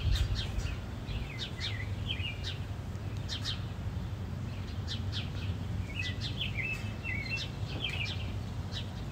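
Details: House sparrows fighting: bursts of short, sharp chirps, some with quick downward-bending notes, come in loose clusters over steady low background rumble.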